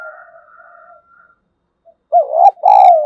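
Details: Decoy spotted dove calling wild doves in: faint, steady low murmuring notes at first, then a short pause and a loud, full, deep two-part coo at the end.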